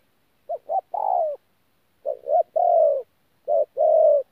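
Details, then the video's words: Wild-caught spotted dove at Tu Mơ Rông, 14 January 2019, cooing 'thổ pha gù' style: three phrases of two or three short stuttering notes leading into a long smooth coo, separated by brief silences. "BỔI THỔ PHA GÙ QUÁ TỐT"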